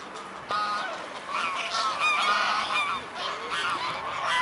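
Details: Mute swans recorded at 14:00 on 14 October 2017 at the Blaues Wunder bridge in Dresden: nasal, honking calls repeated through a steady roar of background noise.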